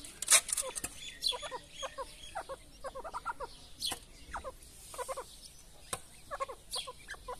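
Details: Grey partridge mother feeding chicks, soft low clucks and short chirping notes in irregular clusters, mixed with sharp clicks and taps.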